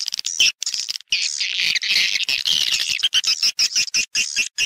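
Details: High, buzzy chatter of swiftlets used as a lure to attract the birds into a nesting house. Rapid chirps merge into a continuous rasping twitter that stays steady throughout.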